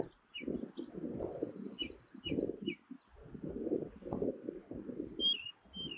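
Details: Ring ouzel calling in the Durham dales: short clear high notes, a quick run of very high pips, then three evenly spaced mid-high notes and two downslurred whistles, over steady low rumbling noise.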